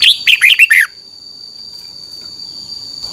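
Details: Red-whiskered bulbul singing for the training of caged birds: one brisk phrase of five bright, slurred notes in under a second, followed by near silence with a steady high whine.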